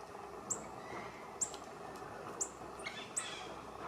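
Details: Female Little Woodpecker (Veniliornis passerinus taenionotus), recorded at Teresina, Brazil, on 7 January 2026, gives short, very high, sharp call notes about once a second over a steady background hiss.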